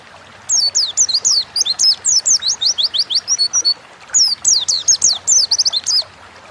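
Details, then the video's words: Oriental white-eye in lively ngalas-style song, used as a tutor and lure recording: two bursts of quick, thin, descending twitters and squeaky slurred notes, separated by a short pause. "Burung pleci gacor ngalas"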